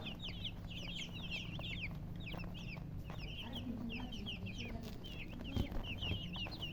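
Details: Several baby chicks chirping: bursts of bright, high, sliding peeps in quick clusters, briefly pausing mid-way, with a low hum underneath and a few soft knocks near the end.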